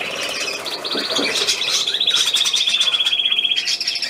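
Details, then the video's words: A small hand-held bird, called a pocket bird, chirps and then delivers a long, rapid, even trill held high for about two seconds while someone speaks softly to it. "Ein kleiner Taschenvogel"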